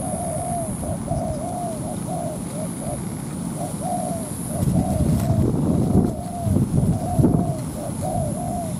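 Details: Spotted dove decoy calling a wild dove to fight on the ground: a steady series of soft coos with slightly falling tails, joined midway by low murmured human voices.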